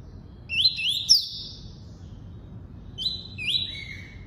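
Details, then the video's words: Singing double-collared seedeater in the tuí-tuí style: paired upslurred notes that level into drawn-out high whistles, a short gap, then two more rising notes ending in a lower held tone. "COLEIRO FLASH ENCARTE (TUÍ-TUÍ)"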